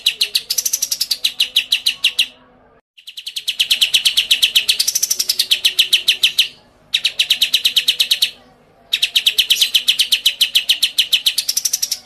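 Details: Training recording of a clear-voiced, captive-bred pied (blorok) white-rumped shama. Several long series of rapid, machine-like pulsed notes each rise into a brief upward sweep, separated by short silences.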